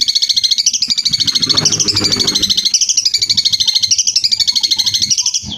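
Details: Long-tailed shrike singing a continuous rapid warbling chatter of fast, high repeated notes that rise and fall in waves, with faint low rumbling beneath.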